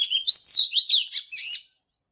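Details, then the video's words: Short phrase of Oriental magpie-robin morning song: slurred, warbling whistles flowing together and ending abruptly, with no other sound present. "เสียงนกกางเขนบ้านหรือนกบินหลาขี้ควายใต้ Chòe than HÓT SÁNG|| Luyện chòe HÓT GIỌNG GIỪNG"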